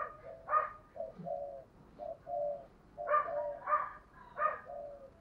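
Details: Spotted doves, a wild-caught bird and a lure bird kept for calling, in the 'giọng thổ' voice style. Low mellow coos repeat in short phrases, with a second overlapping voice adding brighter, higher notes in places.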